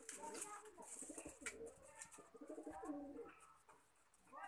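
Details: Lakha pigeon cooing softly in low, wavering phrases, with sharp clicks, scraping and hiss in a small room.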